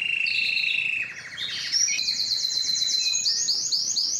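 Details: Canary singing strongly and at length to attract females for mating and breeding; a rolling trill drops to a lower buzzy roll, then switches to a brisk, high repeated trill of rapid notes.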